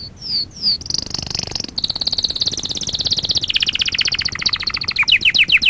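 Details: Canary singing for song training, delivering a long continuous rolling trill that starts with downslurred whistles, holds a high buzzy tour, then drops slightly and ends in rapid repeated sharp upsweeping notes.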